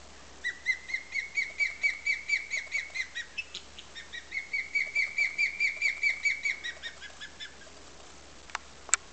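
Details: Female osprey defending her nest at Tiger Point on Pumpkin Hill Creek, 20 May 2007: two long runs of rapid, evenly spaced high whistled chirps, about seven per second, followed by two sharp clicks.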